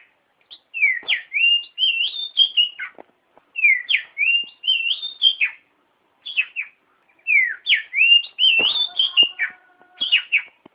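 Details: Oriental magpie-robin song meant for training other birds: repeated phrases of looping whistles and descending slurs, three main bursts with pauses, one faint rattling noise near the end.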